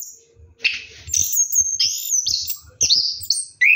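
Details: Orange-headed thrush singing in the rolling ngeroll style while bathing at night: bright high whistles and slurred trills after a quiet start, ending with a sharp rising note, with low thumping in the background.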